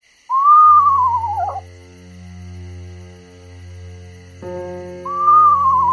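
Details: Eastern Screech-Owl, red morph, from a family with six young filmed in summer in Quebec: a tremulous whistled whinny that rises, wavers downward, then starts again near the end, over a steady musical drone.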